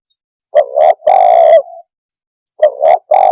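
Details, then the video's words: Spotted dove (tekukur) calling in a way said to quickly make birds agitated: two short coos leading into a long buzzy note that trails off softly, then after a pause the phrase begins again. "Suara kicau Burung TEKUKUR cepat membuat Emosi burung - TEKUKUR鸟的声音"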